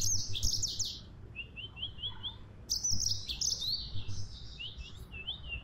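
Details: Yellow-fronted canary in lively, vigorous song: a quick burst of high warbled and trilled phrases, a run of evenly repeated slurred notes, then another busy, rapidly changing twittering stretch, over a steady low rumble.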